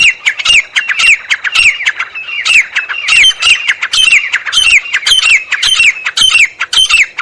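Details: Wild partridge (teetar) from Pakistan giving a loud, harsh, rhythmic call: strident squawks repeated nearly twice per second in a steady run, each note sharp with a falling whistled tail, no other clear sounds.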